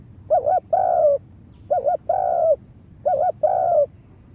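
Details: Spotted dove trained as a lure bird for trapping in a yard, repeating three identical phrases about every 1.4 seconds: a fluttering double note followed by a long steady coo.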